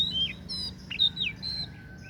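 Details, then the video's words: Oriental magpie-robin (kacer daput) song: clear whistled notes, some falling sharply, others level and high, in a quick varied phrase with a few brief rasping sounds and a faint low hum beneath. "KICAUAN KACER DAPUT MEMPESONA"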